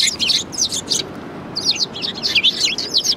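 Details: Sparrows chattering at a Tenmangu shrine on 4 March 2020, a dense run of high, sharp overlapping chirps from more than one bird, barely pausing, over faint low background rumble.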